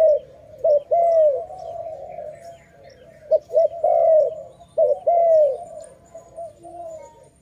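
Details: Loud dove near a trap, giving paired bowed coos followed by softer trailing notes, the pattern repeated three times with quiet gaps between.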